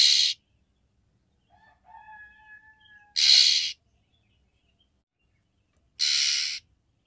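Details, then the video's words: Female oriental magpie-robin calling the male to provoke mating desire: three rough, noisy rasps spaced about three seconds apart, with soft low wavering whistles in one gap. "KACER BETINA MEMANGGIL JANTAN, SUARA KACER BETINA UNTUK MEMANCING BIRAHI KACER JANTAN"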